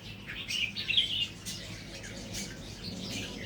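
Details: Natural-line red-whiskered bulbul starting to add doubled phrases: one quick, liquid warbled phrase early on, then softer chirps and background noise.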